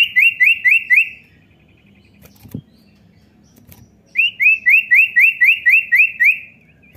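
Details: Common iora calling to stimulate a young bird to sing: two bursts of regular, rapid high chirps, four in the first and about nine in the second, separated by a quiet gap with a thud.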